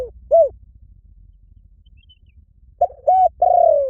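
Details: Spotted dove: a lone low coo, a pause of over two seconds, then a three-part phrase of two short level notes and a long, gently falling coo.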